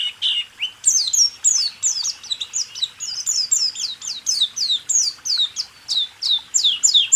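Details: White-eye song recording for training caged songbirds, a continuous rapid stream of high, sharply descending chirped notes repeated about three times a second, bright and twittering throughout.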